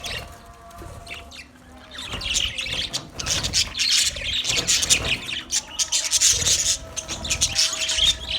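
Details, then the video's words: Colony of budgerigars chirping: after a quieter first two seconds, dense overlapping high warbles, squawks and chirps build into continuous chatter, over a faint steady low hum. "Budgies Parrot colony | Budgies chirping sounds"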